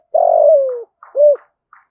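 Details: Lure spotted dove in deep 'thúc gù' cooing: a long, rough, buzzing coo that slides steadily downward, followed by one short arched coo, with faint soft clicks around it.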